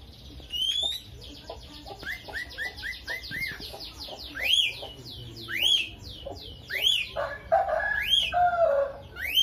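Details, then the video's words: Lovebird fighter bird in rapid chatter with starling-like mimicry: a quick run of short rising chirps speeds along, then louder upswept calls and lower harsh buzzy phrases near the end. "BURUNGnya LOVEBIRD,suara unik"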